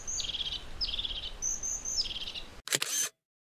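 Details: European crested tit calling three times in quick succession, each a brief high note leading into a fast buzzing trill, ending with a sharp loud click.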